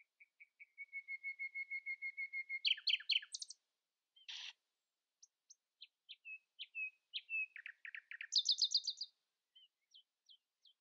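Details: Common nightingale singing in the early morning, outsinging rivals: a soft whistled note series, then rapid trills, a harsh burst, short chirps and a loud high rattle near the end, with pauses between phrases.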